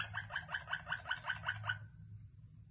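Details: Waterslager canary giving a short string of eight evenly spaced bubbling, water-like notes, about four per second, then stopping, with a low background hum.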